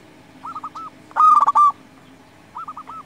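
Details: Local zebra dove song meant to spur rival doves to answer: a short soft coo phrase, then a loud run of quick clipped notes ending in a longer steady coo, then another soft phrase.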